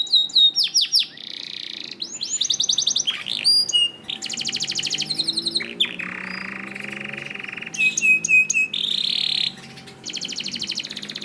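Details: Gacor canary song for training canaries: sweeping whistles alternate with rolling trills and buzzy passages, separated by brief pauses.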